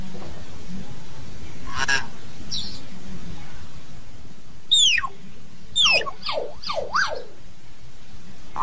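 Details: Common hill myna calling to gather its flock: after two sharp clicks, a burst of four loud, steeply falling whistled sweeps follows in quick succession near the end, over a steady low rumble.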